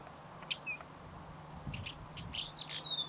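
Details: Buff-streaked chat: a few short, sharp chirps and thin whistled notes, scattered and uneven, over a faint low hum.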